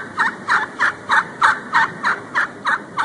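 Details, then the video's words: A wild turkey heard at 6:11 PM on February 6, 2011 gives a steady string of ten loud, hoarse notes, roughly three each second, with quiet background between them. "Wild Turkey Talk"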